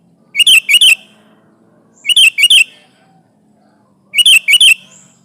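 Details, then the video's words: Energetic sooty-headed bulbul song intended to pressure a rival and lure birds for trapping: three paired bursts of bright, slurred chattering notes, repeated roughly every two seconds, over a faint low hum. "Suara burung kutilang gacor menekan lawan, pancingan pikat kutilang ribut & kutilang diam"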